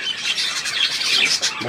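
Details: Budgerigars on 3 April 2017 chatter in a rapid run of high scratchy chirps and whistled squeaks, with a low squawk entering at the close.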